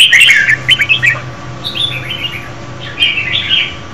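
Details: A female red-whiskered bulbul sings to excite a male, opening with a loud burst of chattering notes, then softer, scratchy warbled phrases of up-and-down chirps over a low background hum.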